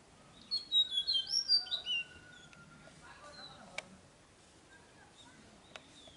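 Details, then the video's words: A Tickell's blue flycatcher at Nandi Hills, Karnataka, on 4 June, sings a quick, high, sweet phrase of about seven tinkling notes lasting a second and a half, then quiet rustling and a couple of faint clicks. "Singing Tickell's Blue Flycatcher"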